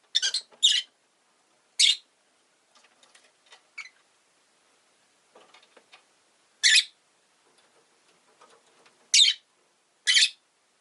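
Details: Rosy-faced lovebird giving short, harsh chirps at irregular intervals, sometimes paired, with faint soft clicks and rustling between calls.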